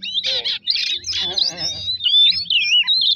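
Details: Oriental magpie-robin singing as a lure to provoke other birds: a few harsh, buzzy bursts with lower rasping notes underneath, then a stretch of looping whistled phrases.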